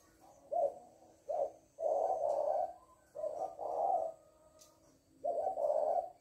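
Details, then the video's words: Close indoor recording of a female spotted dove used as a decoy: two short clipped coos, then longer drawn-out coo phrases repeated after gaps of about a second, low and hollow in tone. "Cu Mái lối"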